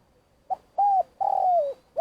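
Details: Vietnamese lure spotted dove calling: a short note, a steady hoot, then a long coo drifting lower, with the next phrase just beginning at the end.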